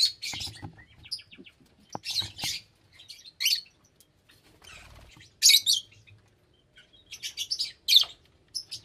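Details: Lovebirds giving shrill, harsh, screechy chirps in short bursts, often doubled or clustered, spaced roughly one to two seconds apart with quiet gaps between; a faint low hum runs underneath.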